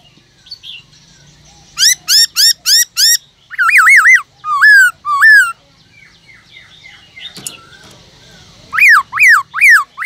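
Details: Caged black-throated laughingthrush pours out a changing wild-voice song to provoke rivals into singing: a rapid burst of five sharp notes, looping warbled phrases, a quiet gap, then three loud swooping whistles.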